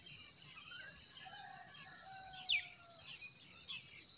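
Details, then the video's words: Spring forest birdsong, quiet and mostly distant: long level whistles at middle pitch drift beneath a steady high tone, broken halfway by one sharp, loud, downward-sliding note from a nearer bird. "Relaxing Singing of Forest Birds"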